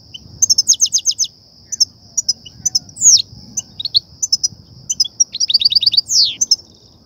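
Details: Exciting batbata and satsata goldfinch song used to draw goldfinches to trappers' nets: quick repeated tinkling trills, a loud slurred note, sparse chirps, then a closing trill run and a long falling swoop.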